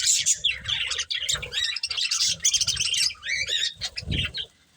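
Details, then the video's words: A pair of breeding budgerigars chirp while eating, a steady stream of fast, high, squeaky warbles and twittering notes with soft low thumps underneath. "Beautiful Budgies Chirping Sounds"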